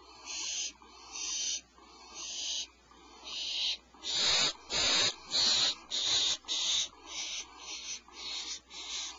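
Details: Owlets in their cavity as the mother arrives with good fresh prey at 04:47 PST; steady rasping screeches repeat almost twice a second, growing louder and harsher in the middle of the sequence.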